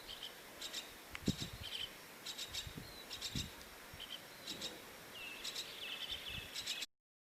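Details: A myna chick waiting in a bird house nest for its mother gives harsh, raspy begging bursts about every half second, with a few thin whistles and low thumps in the background.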